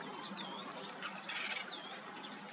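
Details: Eurasian penduline tit at a river where the species builds nests at branch tips overhanging the water; thin, high descending whistles repeat over steady rushing water noise.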